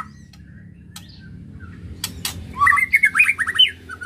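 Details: White-rumped shama ketrekan, aimed at stirring emotion: a quiet start with a few clicks and sharp taps, then a short burst of rapid, rattling, up-and-down notes near the end.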